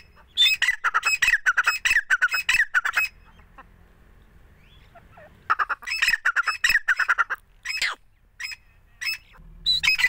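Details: Grey francolin, a fighter bird calling from the hand, delivers long runs of loud, harsh, rapidly repeated notes, pauses about two seconds, then resumes with another rattling series and scattered single calls.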